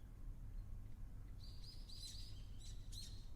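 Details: Ruddy kingfisher on Ishigaki Island, Okinawa, newly arrived for the year, first heard 31 March: a few short, high, slightly falling chirps in quick bursts over a steady low rumble of wind or distant traffic.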